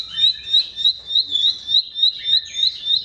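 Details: Bar-winged prinia song, used as a lure to make mute or sluggish birds sing: quick, high, repeated chirps, three or so per second, with softer lower notes beneath.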